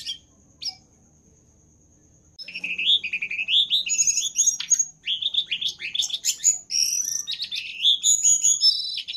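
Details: Jongkangan, the brown-throated sunbird, singing as a training master for other birds: two short chirps, a pause, then a long rush of high squeaky warbles, rising whistles and fast trilled notes, very busy and loud.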